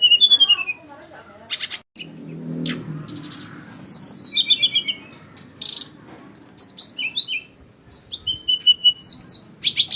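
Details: Flycatcher delivering scattered high, sharp chirps and short whistled phrases, some quick descending notes and clicking bursts, with brief quiet gaps and a faint low murmur in the background.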